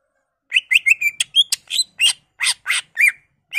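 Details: Greater green leafbird pouring out its repertoire to stimulate other leafbirds: a dense, fast sequence of about a dozen mixed notes, clear whistles alternating with harsh, noisy chips.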